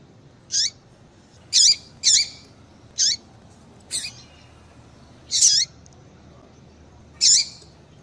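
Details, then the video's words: Female papa-capim seedeater calling, used to excite a male into singing: short high chirps, each with a sharp downward-bending tail, given singly at irregular gaps of about one second over faint background hiss. "Faça o teste Com Esse Piado de Fêmea de Papa capim Para Esquentar Papa capim Com Fêmea de Papa capim"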